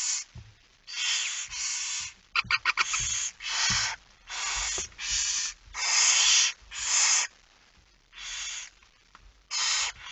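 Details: Nest of barn owls in Friesland, Netherlands, 10 September 2019, 22:45, feeding time at night; a dense series of rasping hisses, each under a second, with a quick burst of clicks early on.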